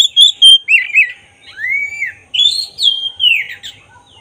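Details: Black-breasted oriental magpie-robin in rich song, used to provoke emotion and tail opening: quick sharp whistles, a warbled phrase, a long arched whistle, then loud rising and falling whistled notes.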